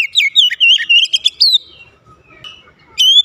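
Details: Oriental magpie-robin (kacer), a bird reluctant to sing, being coaxed into song: a rapid run of clear whistled and warbled notes for about a second and a half, a pause, then a short rising whistle at the end.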